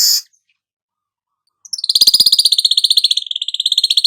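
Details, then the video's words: Golden-headed weaver song used for training songbirds: a brief buzzy note, a pause, then a fast, somewhat uneven trill of high chattering notes lasting over two seconds. "suara manyar kepala emas cocok buat Masteran"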